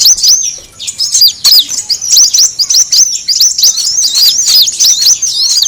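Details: Luring sound of the brown-throated sunbird: continuous high, thin, twittering chirps packed closely together, with a short quieter dip early on.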